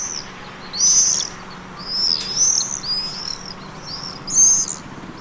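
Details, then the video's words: Summer common swifts calling: piercing, high-pitched screams in short sweeping bursts, spaced about a second apart, some overlapping, over a faint low background hum. "SWIFTS - SOUND OF SUMMER"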